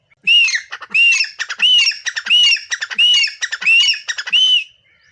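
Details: Black francolin singing on a mango tree among garden trees, a steady run of seven loud rasping, squawky phrases, each carrying a bright arched ringing note, repeated back to back with little gap.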